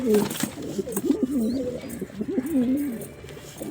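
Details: Short sequence of rolling, warbled coos from a male pigeon, low and throaty, with a human voice briefly audible at the start.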